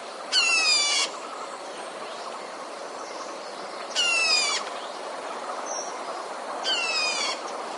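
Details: A Red-whiskered bulbul, used as a decoy bird for trapping, gives three harsh, buzzy, rasping calls, each under a second, spaced a few seconds apart over steady background hiss.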